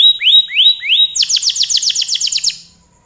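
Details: A canary sings several rising whistled slurs, then bursts into a rapid rolling trill of repeated notes that fades out after about two and a half seconds, part of a long song.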